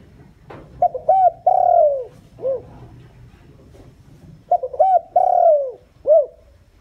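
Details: Decoy spotted dove calling to lure wild doves, repeating its phrase twice about three and a half seconds apart: clipped short notes, a long sliding-down coo, then a short rounded final coo.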